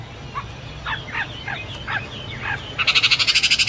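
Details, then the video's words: A Chinese hwamei sings short, slurred whistled notes, then breaks into a bright, rapid run of repeated notes, about nine a second, over a soft background hiss. "Burung Hoa Mi gacor"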